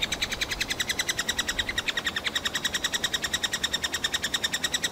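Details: Three-toed woodpecker nestlings calling from inside a tree hole in Kalinovsky forest park, Yekaterinburg, demanding food; a continuous, shrill, rapidly pulsing chorus of harmonic squeaks, about three or four per second, steady throughout.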